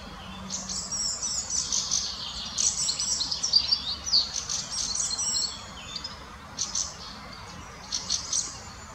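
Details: Fieldfare adult with juvenile in the Munich Botanical Garden, Germany; high thin chattering and squeaky calls in bursts, dense in the first half then scattered, with faint background noise.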